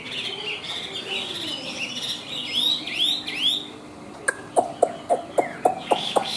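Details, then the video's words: From a caged Chinese hwamei with white wings and tail, soft looping whistles rise and fall, then a series of sharp, evenly spaced clicking notes closes the passage, over a steady background hiss. "Họa Mi Cánh Trắng Đuôi Trắng - Hót Cao"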